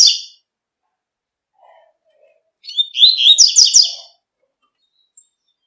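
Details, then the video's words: Double-collared seedeater in nature giving tui-tui song: one long, high, trilled and buzzy phrase after a short opening note, with a few faint lower chirps nearby. "COLEIRO TUI TUI CANTANDO NA NATUREZA"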